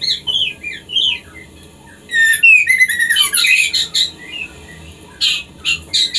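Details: Captive white-rumped shama kept for breeding, its song played to prompt mating: varied whistled and chattering phrases, with rising whistles in the first second, a dense burst of rapid trills and sweeps from about two to four seconds, then short sharp notes.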